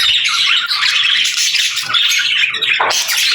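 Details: Budgerigars kept as pets fill the air with harsh squawks and quick chirps, the flock chatter continuous, ending in a louder scratchy burst.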